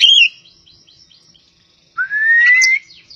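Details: Javan pied starling, a kacer poci from Java: a brief sharp whistled note, a faint pause, then one long clear whistle rising steadily in pitch, with a few soft chattering notes after it.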